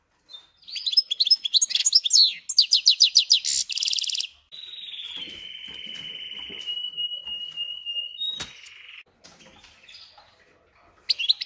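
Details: A captive European goldfinch crossed with a canary sings rapid repeated chirps. A long, steady, whistled note follows, falling slightly over about four seconds, then softer, scratchy notes and a last burst of chirps.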